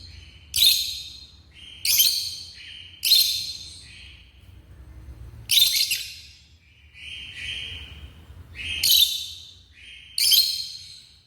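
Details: African lovebirds kept at home calling with shrill, rasping screeches, seven bursts in about eleven seconds, some paired with softer chattering notes between them, quiet hum in the background.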